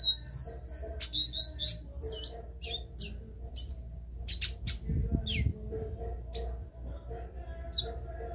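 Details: Capped seedeater (caboclinho) singing the classic three-note song: a lively run of clear whistled slurs and quick notes early on, then spaced sharp whistles, with a brief low rumbling noise midway and constant background hum.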